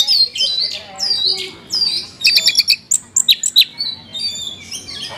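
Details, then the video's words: Oriental magpie-robin (kacer) in 'isian mewah' song. High descending whistles are followed by rapid clicking chirp bursts and sharp squawky notes, with faint low background noise. "kacer isian mewah"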